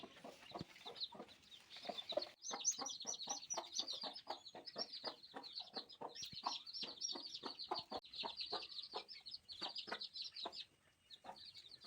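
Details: Newborn chicks peeping: a dense chorus of high, short, downslurred cheeps repeated rapidly and overlapping throughout, with soft low tapping or knocking sounds in the background.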